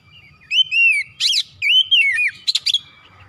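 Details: Kacer (Oriental magpie-robin) singing in gacor style with varied isian phrases. Long arched whistles alternate with harsh, buzzy downswept notes, ending in a quick cluster of sharp chips.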